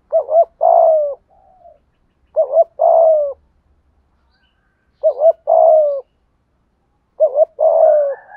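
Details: Spotted dove, "thúc gù" coo played to get wild and decoy doves to call. Four phrases, each a quick double note and a longer falling coo, come roughly every two to two and a half seconds.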